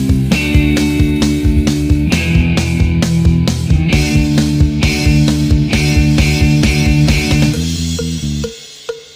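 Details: Loud rock music with driving drums, distorted guitar and steady bass, fading out near the end; no animal voice comes through.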